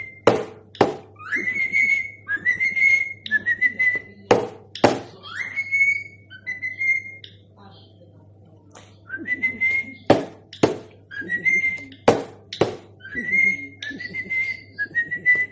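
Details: A cockatiel whistles the Addams Family theme song in short, rising phrases punctuated by sharp snapping clicks.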